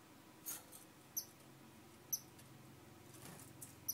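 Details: Star finch repeating brief, piercing high chips about once a second, four notes in all, with soft rustling and low hum behind.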